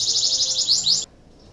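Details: Canary in breeding condition, song used to stimulate other canaries to sing: a fast, high trill of repeated notes for about a second, then it stops abruptly.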